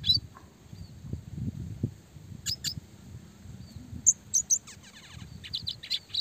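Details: Red siskin classic chirping for training small songbirds: scattered thin, high notes and brief twittered clusters, sharp bright pips toward the end, with a soft low rumble beneath.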